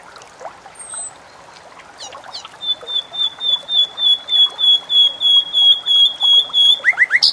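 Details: Bulbul, described as one of the most melodious birds and used for tutoring caged songbirds: after quiet rustling, a clear steady whistled note repeats about three times a second, ending in quick rising chirps.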